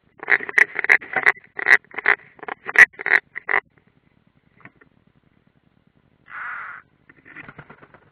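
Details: Rasping rapid calls from European rollers, one unringed, in a streamed nest view at Ādaži, Latvia, 30 June 2016. A dense burst of grating notes gives way to near silence, a brief hiss, then softer scratchy calls.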